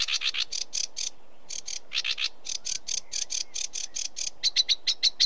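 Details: Sedge warbler churring in grouped bursts of rasping notes separated by short gaps, ending with a quicker series of thin, high whistled notes.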